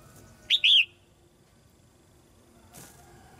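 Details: Red-whiskered bulbul female singing in a cage to encourage young birds: one crisp two-part chirped phrase, then quiet, a brief rustle and the start of another note at the end.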